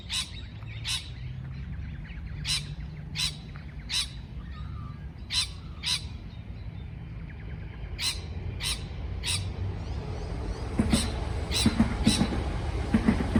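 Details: Irregular harsh chirps from a parrot, sometimes paired, spaced one to two seconds apart; toward the end the calls quicken and louder background sounds join in.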